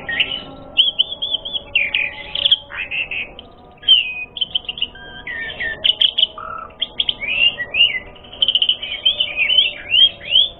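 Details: Asian pied starling in energetic, full, varied song used as a lure to provoke other birds into fighting: a dense stream of bright whistles, chatters and quick slurred phrases with brief gaps, including one lower note near the middle.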